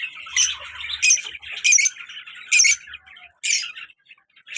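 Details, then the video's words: Black mask female and colour male lovebirds kept as pets, with harsh high squawks about every second over a background of softer continuous twittering. "My birds pair colour love bird male and black mask female beautiful sounds and full masti"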